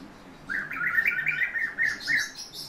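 A European bee-eater gives a run of rolling, liquid 'prruip' notes, several per second, mid-pitched and burry, over faint background hiss.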